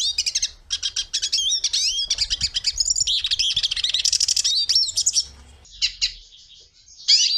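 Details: Hooded siskin gives bursts of quick twittering and wheezy, buzzy notes, goes mostly quiet for about a second and a half, then resumes with a short sharp phrase.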